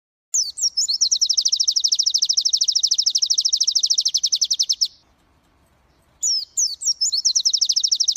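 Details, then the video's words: Indonesian white-eye, pleci of the G12/G16 contest class, kept for tutoring recordings: a fast, dense, high trill runs about four and a half seconds, breaks into silence, then a fresh trill starts with a few quick twisted notes. "Masteran Pleci Kusus G12 & G16 materi menonjol"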